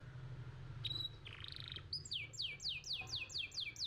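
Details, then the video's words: Young canary song used as training audio: scattered high notes and a short buzzy burst, then a series of six descending whistled sweeps about every quarter second, over low background hum. "Pancingan Kenari Muda Cepat Bunyi & Ngeriwik"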